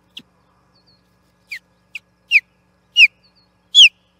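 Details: Wild osprey on the Charlo nest, 8 June 2021, clashing with an interloper over the platform: a series of piercing, falling whistled chirps that grow louder and longer toward the end, after a few faint opening notes.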